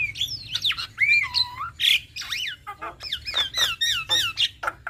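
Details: Lively duet by a male and female black-winged starling: steady stream of loud, swooping whistles, curved slurred notes and squawky accents, repeated roughly every half second with barely a break.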